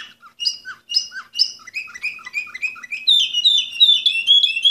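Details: Canary of the Orpheus breed, number 24, 2014, with repeated paired chirps that step downward, then a rising run of fast, sweet whistled notes that grow louder and denser toward the end.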